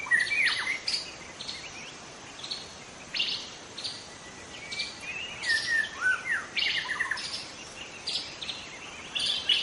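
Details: White-rumped shama from the wild forest, song used to draw in other shamas: rapid, irregular phrases of sharp buzzy notes and sweeping whistles, with louder bursts around the middle, against a steady hiss.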